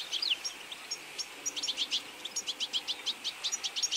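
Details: European goldfinch feeding flock in autumn; a clear series of short, bright, high chirps repeated in quick rhythmic bursts roughly every fifth of a second, with a downslurred note at the start.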